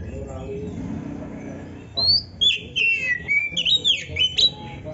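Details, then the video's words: Oriental magpie-robin (kacer) song meant as a tutor for training songbirds: after two seconds of low background murmur, a run of clear whistled notes, some sliding down, some rising, delivered in quick separate bursts. "Suara Burung Kacer yang cocok untuk Latihan kicau"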